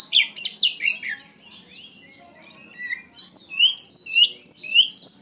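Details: Oriental magpie-robin in energetic song: tumbling, falling whistles, then a soft interlude, then a series of crisp upslurred whistles about twice a second.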